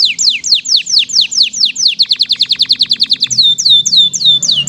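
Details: Vigorous canary song, 'isian mewah' style: evenly spaced falling whistled sweeps, speeding into a tight rolling series of short notes, then slower arching whistles.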